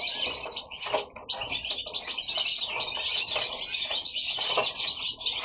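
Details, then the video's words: Several goldfinches kept at home in Italy sing together: sparkling, rapid chirps and twittering trills in an unbroken jumble, with a soft flutter of wings among the voices. "Goldfinches singing at home"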